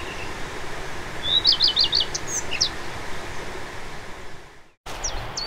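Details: A common redstart in spring in ancient oak, birch and hazel Celtic rainforest in the Dyfi Valley, mid Wales, sings a short, high phrase of quick, bright notes that builds like an engine not quite catching, then trails into scattered squeaks over a steady rushing background.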